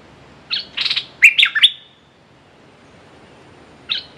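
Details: Red-whiskered bulbul decoy luring a territorial wild bird gives a burst of harsh and ringing chirped notes, then goes quiet for about two seconds before starting again.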